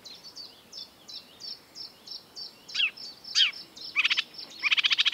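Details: Marsh warbler, a mimic of European and African birds, in song during the breeding season. Soft repeated high ticks lead into a few loud descending notes, then harsh rapid rattling bursts, over faint background hiss.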